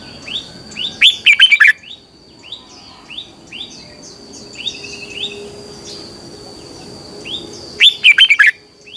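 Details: Training song of a red-whiskered bulbul in the twisting double-voice style, sung in the morning as a lure for caged birds: two loud warbled phrases several seconds apart, with many softer chirps and a steady high whine between.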